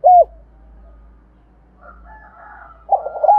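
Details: Spotted dove decoy cooing to attract wild doves: a short hooked coo at the start, a faint murmuring gap, then a rough purring phrase ending in another arched coo; low hum underneath.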